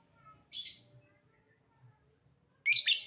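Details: Lovebird calling, a short harsh chirp followed after a pause by a louder raspy burst of chatter, all high-pitched and noisy.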